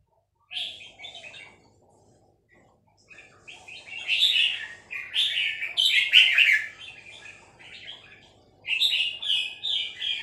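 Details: Red-whiskered bulbul, a female, repeating its three-syllable song: a short chirp phrase, a pause, then a long run of loud bubbling warbles and a final bright phrase, over faint low hum.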